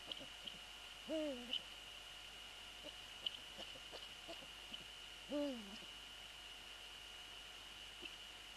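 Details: Eurasian eagle-owl on the nest, 3 February 2014, after a prey transfer with the male present: two harmonic calls about four seconds apart, each sliding downward and wavering, with scattered soft clicks and a persistent whine.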